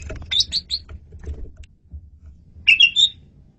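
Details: Asian pied starling singing vigorously as training song: a few high chirped notes, a pause filled with low background noise, then a quick cluster of bright whistles.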